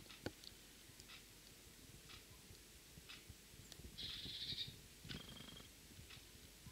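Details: Great tit feeding its young: a half-second burst of thin, rapid, high twittering, then a brief high note, over faint background hiss and scattered clicks.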